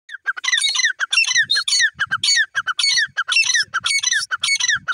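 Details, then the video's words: Grey francolin (teetar) calling loudly: harsh, squawky notes with bright overtones, repeated in quick bursts of about two per second throughout, with short pauses between series. "teetar ki lovely awaz lovely voice"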